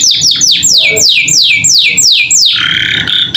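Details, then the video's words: Captive canary in full varied song, tutoring audio for young birds learning to sing: about nine loud whistled notes sweeping sharply downward, roughly three per second, ending in a held buzzy tone. "Masteran Kenari Gacor Isian Cocok Buat Paud Belajar Bunyi"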